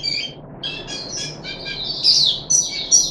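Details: Puff-backed bulbul kept in captivity, third day of a deworming course, 14 July 2021: scratchy chattering notes that build into louder, sharper whistled chirps toward the end, with soft background hum.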